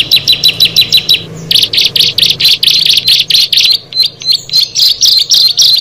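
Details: Six bar-winged prinias meeting, singing: clipped, high, downslurred chirps at first, then a denser, buzzier string of bright notes roughly three per second, with overlapping higher ticks near the end.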